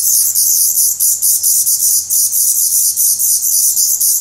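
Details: Hungry Black Redstart nestlings in a nest in Portugal, 17 May 2020, feathered and losing their down, give a dense, hissing chorus of high begging calls, pulsing rapidly and almost without a break.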